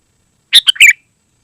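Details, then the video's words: Sooty-headed bulbul, recorded for luring wild birds and tutoring caged ones: a single short phrase of three quick, bright notes ending in a slurred whistle. "Suara Burung KUTILANG GACOR Sangat Rapat"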